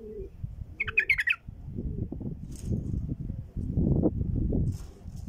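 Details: Bulbul call used for attracting wild bulbuls: a brief run of chirpy, warbled whistles near the start after a low cooing note, followed by loud low rumbling background noise.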